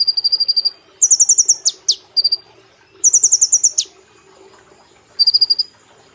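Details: Brown-throated sunbird in a cage, singing energetically on a training recording. Quick high trills alternate with sharp falling slurs in tight succession, then a pause and a final short trill.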